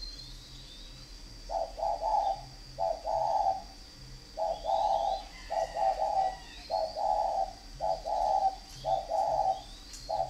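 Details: Fighting-type spotted dove from Ba Vì, Hanoi, northern Vietnam, after a quiet start, cooing in a long even series of paired low mellow notes, each pair a short note then a drawn-out one, with a faint steady hum.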